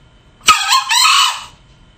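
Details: Male junglefowl used as a hunting lure: one loud, harsh crow of about one second in two joined parts, a sharp onset and then a sustained, slightly falling section, against a quiet background.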